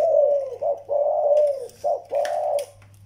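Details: Young zebra dove and an old decoy bird: a few gentle, rolling coos, each a low warbled note with a slight dip, separated by brief pauses, over a quiet hum.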